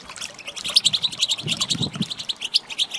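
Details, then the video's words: Female European goldfinch call, used to set males singing: continuous lively twitter of quick, ringing high chirps, with faint low rumbling underneath. "صوت طائر الحسون الإناث"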